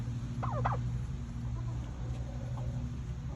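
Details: Farm turkeys in fall, due for processing the next day; a single brief, rapid, warbling gobble bursts out near the start, then fades, over a steady low droning hum with faint scattered clucks.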